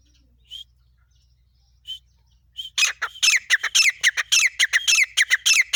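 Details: Female grey francolin in Pakistan calling non-stop: a few isolated chirps, then a loud, rapid run of harsh, ringing notes repeated almost twice per second.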